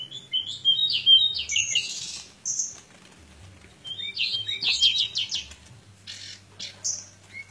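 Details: Fighting Pied bushchat pours out two energetic bursts of fast, buzzy high chirps and trills separated by a short pause, closing with single sharp notes; faint low hum behind.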